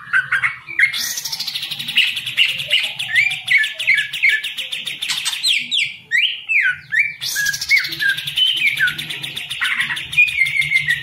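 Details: Caged hobby green leafbird delivers bursts of rapid buzzy trills and clear down-slurred whistles. Phrases are separated by short gaps, with a faint low hum in the background.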